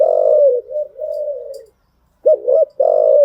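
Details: Spotted dove cooing for training new wild-caught birds. A long, smooth, level coo fades out, and after a pause come two quick rising notes and the start of another coo.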